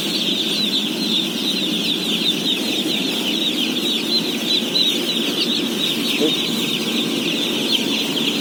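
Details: A huge flock of day-old chicks, around 17,000, peeps continuously while being fed, a dense shrill wall of sound with a low rumbling layer underneath.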